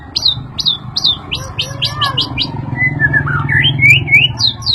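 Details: White-rumped shama stirred up by a played sound: rapid high whistled notes repeated in bursts, then lower warbled and upslurred phrases over a droning background.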